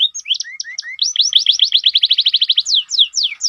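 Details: Lively canary phrases: mixed whistled upslurs and lower chirps, then a rapid even run of about fifteen clipped notes, ending in several fast falling sweeps.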